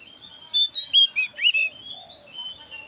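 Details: Javan grey-throated white-eye with thin brow markings, a varied song used as a lure to draw other white-eyes into singing: a short run of loud, clear whistled notes near the middle, some sliding down, between quieter high warbling.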